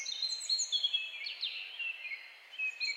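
A European goldfinch sings a fast, tinkling twitter of high, liquid notes with quick slurred trills, running almost without pause over a faint background hiss.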